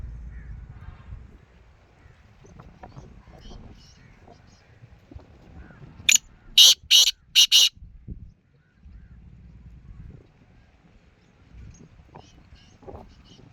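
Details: Black francolin (kala teetar): a short burst of about four loud, harsh, broadband notes near the middle, standing out against quiet rural background with faint murmuring and scattered low noises.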